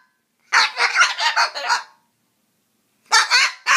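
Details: Cockatoo grumbling as it tries to chase off a mosquito. A burst of about six harsh, throaty, pulsed rasps lasts roughly 1.5 seconds. After a silent pause, two shorter rough grumbles follow.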